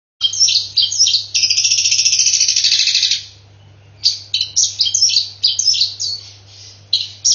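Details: Long-tailed shrike in a contest-style song filled with mimicry of fighting Asian koel-type calls: bursts of harsh, high chattering notes alternating with a sustained, dense buzzy rattle lasting about two seconds, steady low hum beneath.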